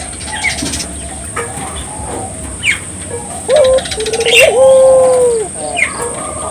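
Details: Barbary dove in full song, meant to prompt local doves to sing: quiet at first with scattered high bird chirps, then a low rolling coo and a drawn-out, falling note near the end.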